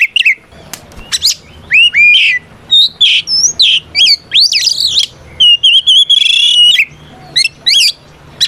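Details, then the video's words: Oriental magpie-robin singing a fighting song meant to call out an opponent: rapid sequence of clear upslurred whistles, looping notes and a rasping buzzy stretch, loud and close, with faint low hum beneath. "Suara Burung kacer gacor NGEPLONG tarung ini paling ampuh buat PANCINGAN KACER agar EMOSI Nyaut"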